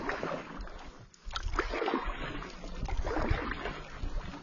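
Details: Canoe paddling on a lake with water splashes and light wind, no animal calls heard.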